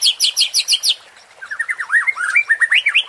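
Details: White-rumped shama lure song for rousing competition birds: a quick series of sharp high descending chips, a brief pause, then a lower varied string of whistled, looping notes.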